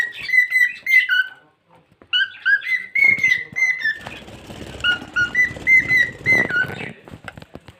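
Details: Melodic whistling by a pet cockatiel, paired high and low notes repeated in a bouncy tune, with a steady rushing background noise underneath the latter half.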